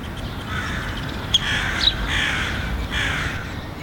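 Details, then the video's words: Syrian woodpecker chicks at a nest beside the ministry of finance, one of three young being fed by a nesting pair. Harsh, raspy, broadband begging bursts come about every second, over steady low traffic rumble with a few sharp clicks. "Cheeky Woodpecker Chick"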